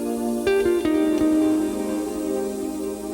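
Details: Gentle plucked guitar music with sustained notes, and no animal voice.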